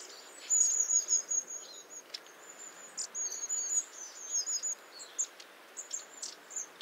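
Long-tailed tits give very high, thin see-see-see calls and short buzzy trills in quick bursts, over a faint steady background hiss.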